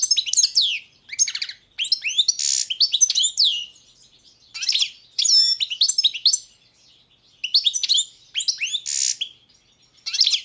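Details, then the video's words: Carduelis carduelis balcanica, a caged Balkan goldfinch competing in the 2022 World Championship in Goldfinch Song, sings repeated phrases of sweet slurred whistles, twittering runs and short buzzy notes with brief gaps between them. "Pesma štiglića 005/22 World Championship in Goldfinch Song"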